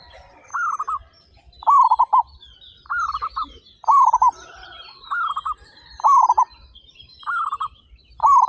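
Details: Thirty-five local zebra doves singing eagerly and loudly: steady alternation of a quieter and a stronger rolling coo phrase, each under half a second, about one per second, with light high chirping of other birds behind.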